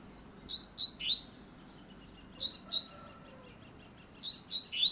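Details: Double-collared seedeater (papa-capim) singing a fast song: short bursts of three sharp, high slurred notes with quick upward flicks, repeated about every two seconds, with a faint low hum underneath.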